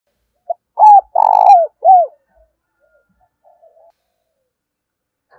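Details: Spotted dove used as a decoy, calling to draw wild doves in for trapping: one full cooing phrase, a brief note, a long rolling burred coo, then a clear falling coo, followed by quiet murmurs.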